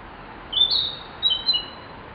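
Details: Narcissus flycatcher song, recorded over ten years ago: two short, clear high whistled phrases, the second slightly lower and wavering, about half a second apart over a quiet background.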